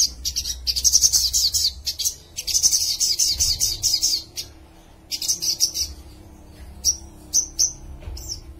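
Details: Olive-backed sunbird in an agitated, attacking mood singing rapid, high-pitched twittering trills in dense bursts of about one to two seconds, with short pauses between, ending in a few separate sharp, thin chips.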